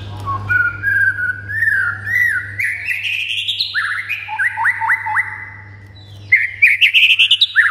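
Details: White-rumped shama song meant to make other shamas answer and sing excitedly: long whistled notes sliding upward, then a run of quick descending chirps and a burst of rapid high repeated notes, over a steady low hum.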